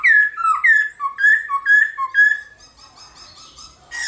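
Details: Black-throated laughingthrush in morning competitive song: six loud, full whistled phrases, each dropping in pitch, alternating high and low about twice a second, then soft chatter and a closing bright note.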